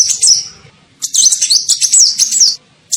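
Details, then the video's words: Sunbird (kolibri ninja) giving a lure call used to attract birds: a short high twitter, a pause, then a sustained run of fast, shrill, wavering chirps lasting about one and a half seconds. "SUARA PIKAT KOLIBRI NINJA"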